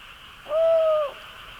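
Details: Tawny owl at night in breeding season, at a nest in an old chestnut tree in a forest in Bonghwa, North Gyeongsang, Korea; the male calls to signal prey brought and the female urges him: one drawn-out, fairly low, even note over night hiss.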